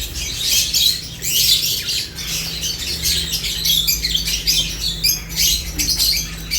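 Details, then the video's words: Eating lovebirds keep up a busy stream of screechy, buzzy chirps in short clusters, backed by a low steady hum. "Lovebirds unique colors eating and chirps sounds"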